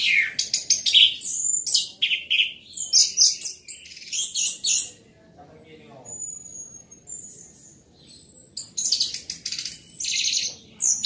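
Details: High, dense, chattering song of an orange-headed thrush, loud and energetic, with rapid strings of varied notes, a brief quieter stretch of thin drawn-out whistles, then another vigorous burst.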